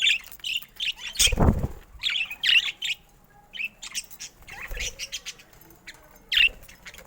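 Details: Colorful pet budgerigars give short, sharp, high chirps in scattered bursts, with a soft low fluttering thump near the start.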